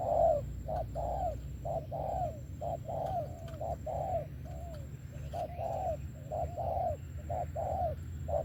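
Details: Spotted dove with Vietnamese 'thổ' style song and 'tàng': a quick series of soft rounded coos, some with falling tails, loosely paced about one per second, above a low droning hum.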